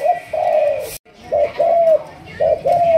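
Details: Malaysian spotted dove of the thúc gù line, trained for decoy work, giving clear low coos: a short note followed by a long, slightly falling coo, three times in quick succession, in a quiet setting.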